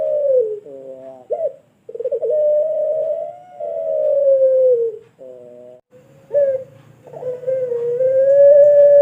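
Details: Pelung turtle dove, a training bird, sings its long call: a falling coo, a buzzy stacked phrase with an upward flick, a long wavering sustained coo, another buzzy phrase, then a final long steady note.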